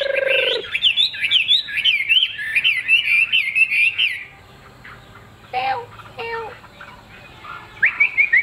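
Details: Caged Chinese hwamei with a fig-leaf tail singing rapid zigzag whistled phrases for about four seconds, followed by quieter calls, a man speaking briefly, and a renewed burst of song.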